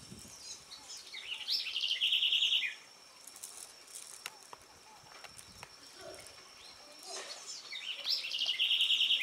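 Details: Itatiaia spinetail singing at Capelinha / Angelândia, Minas Gerais, Brazil: two songs about six seconds apart, each a few rising high notes running into a fast, even, dry trill, over a steady thin high whine and soft background hiss.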